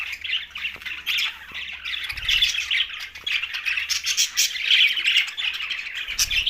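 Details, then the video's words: Dense chirping of green budgies at mealtime in Larkana, Sindh, with rolling warbles and scratchy squawks from many birds and two short low thuds in the background. "Green Budgies Talking"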